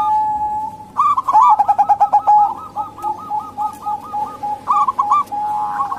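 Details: Local female zebra dove, recorded as a lure for reluctant males or wild doves: a steady tone at first, then a lively run of repeated hooked coos, tapering into scattered notes.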